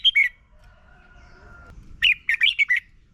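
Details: Red-whiskered bulbul from Thailand in a morning training recording for young birds: a short two-note warble, then a long, thin, steady whistle-like tone, then a quick phrase of five chirpy slurred notes.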